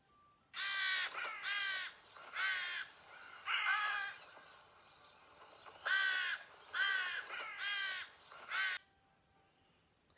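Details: Crow, a bird often heard in the school playground, giving a series of harsh, hoarse caws in short bursts: pairs and triplets of raspy calls spread over about eight seconds, with quiet pauses between groups and no other clear sounds.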